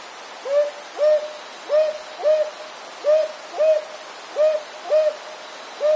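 Northern Boobook giving soft, mid-pitched hoots in pairs, 'hoo-hoo', with each pair repeated about every one and a half seconds. A faint steady hiss lies behind.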